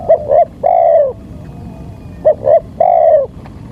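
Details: Spotted dove calling as a lure for wild birds: two phrases, each two brief notes followed by a long, slightly descending coo, separated by about a second of low background noise.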